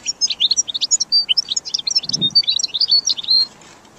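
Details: Goldfinch song used to train and motivate caged birds: rapid high twittering of short chirps, clicks and brief whistled notes running continuously, with a soft low thump midway.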